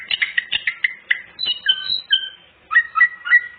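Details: Greater green leafbird pouring out varied mimicked fills, aimed at luring untrained birds: short chattering notes, then clean level and bending whistles at several pitches, ending in a quick three-note whistled phrase.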